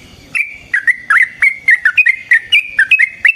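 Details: Yellow-vented bulbul delivering a long fighting song meant as a lure and tutor for other bulbuls: a fast, unbroken run of bubbly, slurred chirps, about four notes a second, clear and loud.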